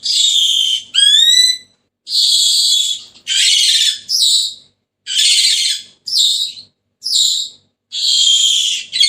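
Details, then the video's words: Senegal parrot alternating harsh buzzy screeches with a set of quick rising whistled notes near the start, calling almost continuously in bursts of about a second. "تغريد ببغاء السنيغالي the sound of the parrot senegal"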